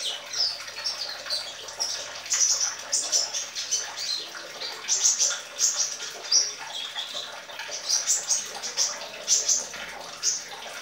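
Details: Young sunbird practising its song, giving high, sharp chirps and twittering phrases in uneven bursts against a constant background hiss.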